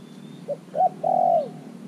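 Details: A single cooing phrase from a caged decoy spotted dove, three months caged, calling wild doves in: a short soft note, a brief doubled note, then one long level coo that dips at the end.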